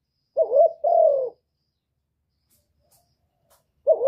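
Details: Spotted dove cooing to stimulate birds: one full low phrase, a wavering note then a longer falling note, followed by silence with faint clicks and the start of another coo at the end.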